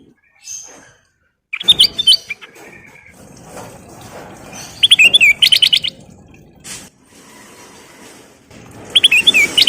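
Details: Sooty-headed bulbul in full, active song, used as a lure to prompt other bulbuls. Three bursts of quick, bright chirping whistles, each under a second, are separated by quieter gaps with background hiss.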